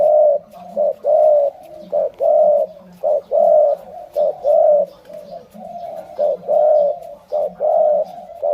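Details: Malay-line spotted dove giving a continuous run of mellow coos, short clipped notes alternating with longer sustained ones, about one phrase per second, with no other sounds intruding.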